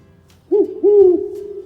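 Great Horned Owl giving two deep, soft hoots, a short one followed by a longer, drawn-out one, against a quiet background.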